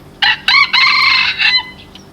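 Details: A 7-month-old Red Junglefowl rooster, a decoy bird, crows once on 17 November 2024, about one and a half seconds long: short harsh notes, then a long, strained, ringing phrase.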